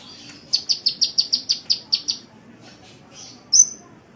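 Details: Sunbird, called kolibri, in a master recording made to train songbirds: ten rapid high ticking notes in an even row, a short pause, then one loud sharp whistled chip.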